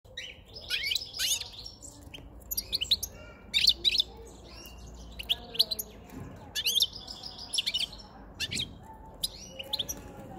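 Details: Caged male European goldfinch with a white chin, wild-caught five months earlier, singing as spring and the breeding season approach: bursts of bright, tinkling twitters and buzzy high notes separated by short pauses, with a faint low hum beneath.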